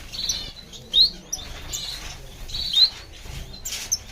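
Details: High, thin chirping from a diamond firetail finch, two louder sharp notes about two seconds apart amid softer tweets and faint background rustle.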